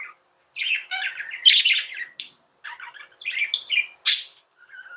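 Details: Tame pet budgies warbling: scratchy chirps and squeaky whistles in fast jumbled phrases, a couple of piercing high calls standing out, short silences between phrases.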